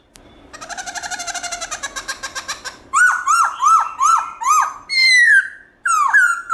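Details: Black-throated laughingthrush singing a loud, clear, many-voiced wild-style song. A fast buzzy rattle of pulsed notes gives way to a run of loud whistled notes that dip and rise, each about half a second apart.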